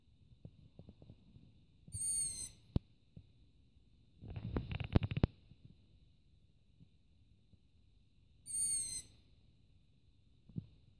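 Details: Long-eared owl chick on a rooftop calling for food at night, mobile phone recording; two hoarse, high, slightly falling squeaks about six seconds apart, with a rustling, clicking burst of noise between them.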